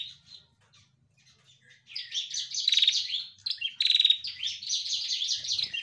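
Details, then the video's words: A female bar-winged prinia starts with a few soft, sparse notes, then breaks into dense, high chattering chirps mixed with two coarse buzzy bursts, continuing steadily to the end against a quiet background. "Masteran Prenjak Betina Gacor Untuk Pancing Bunyi"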